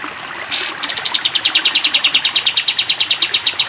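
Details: Training recording of a caged sooty-headed bulbul singing a long 'tembak panjang' trill. A brief rushing upward swish comes first, then a steady run of rapid, sharp, evenly spaced notes.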